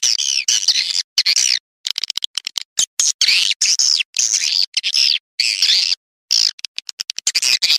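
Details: Swiftlet calling sound played to lure swiftlets: dense bursts of harsh, buzzy twittering chirps with rapid up-and-down sweeps, chopped by abrupt dead-silent gaps of varying length, the bursts shortening into quick clipped chirps midway.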